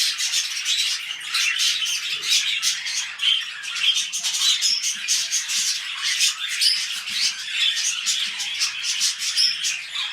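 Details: Pet budgerigars mating as they begin a new breeding clutch; dense, continuous high warbling chatter of rapid chirps and squeaky notes without pause, with a few faint low knocks underneath.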